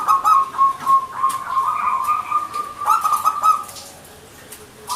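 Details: Zebra dove (local perkutut) in gacor manggung singing: fluttering coo notes that merge into a long, steady, slightly rising tone, with a fresh burst starting at the end.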